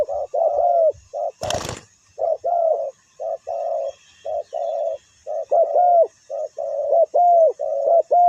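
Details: Spotted dove calling as a ground decoy for wild birds: a steady series of short, husky coos, about one per second, some in pairs, with a sharp click early on and quiet low knocks.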